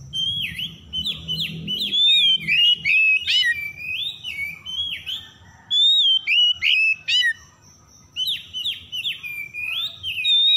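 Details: Kacer, the oriental magpie-robin, singing as a lure for stressed birds that have stopped singing: repeated bursts of clear whistles mixed with harsh buzzy chips, arriving in rapid runs broken by short pauses, over a faint high tone and low rumble.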